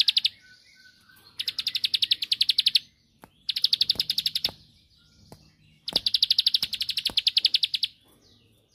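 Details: Bar-winged prinia delivering three separate rattling bursts of quick high notes, each about one and a half seconds long, with quiet pauses and a few clicks between them. The song is used to provoke a rival into answering.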